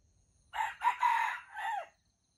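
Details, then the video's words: Wild jungle chicken competing to crow at a trap set with bait. A slightly softer, lower crow with three choppy rising notes running together and a drawn-out descending tail, about one and a half seconds long, with no other sounds. "The trap for wild chickens is baited with standard bait and the birds compete to crow"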